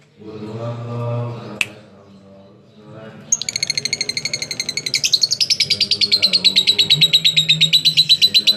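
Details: Lovebird giving a long 'ngekek' (konslet) chatter, used as a lure to get other lovebirds to sing along; after low human talk, a rapid high buzzy trill of evenly repeated notes starts and runs steadily, rising slightly in pitch.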